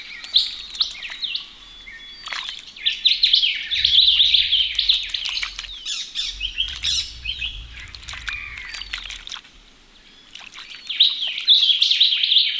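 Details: Chattering ring-necked parrots at a pond where they bathe in Australia; rapid high chirps and squeaky notes run in busy streams, with a quiet pause midway, wingbeats and splashes among them.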